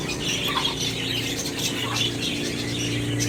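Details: Lovebirds in the Philippines giving rapid, harsh squawking chirps in quick overlapping bursts over a constant low electrical hum.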